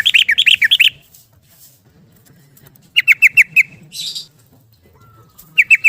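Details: Yellow-vented bulbul, rapid 'ropel' song for luring caged bulbuls: a run of rich, rolling notes, a pause, five quick sharp notes with a brief buzzy sound, and another burst at the end.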